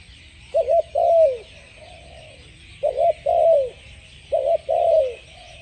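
Spotted dove cooing three times, each a quick double coo then a longer, falling croo, about every two seconds, over a steady insect hiss and low rumble.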